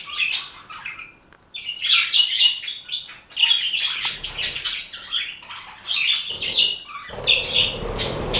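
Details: Chatter from a budgerigar flock: bursts of busy high twittering and squeaky warbled notes separated by short lulls, ending in a noisier rustling passage like fluttering wings.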